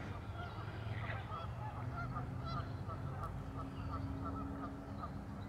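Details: Geese at a park lagoon in Madison, Wisconsin, USA, honk repeatedly in short, clipped notes from several birds, with a constant low-pitched hum behind them.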